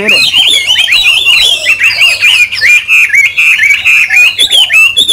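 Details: Caged Chinese hwamei singing for an owner who has not heard it in a long time: a dense, unbroken run of loud, varied whistles, slurred notes and quick trills, rising and falling in pitch without pause.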